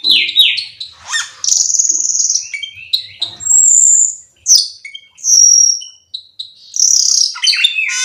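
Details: Black-winged myna singing a loud medley of piercing whistles, harsh rasping notes and quick chirps, with several long high sustained tones separated by brief gaps.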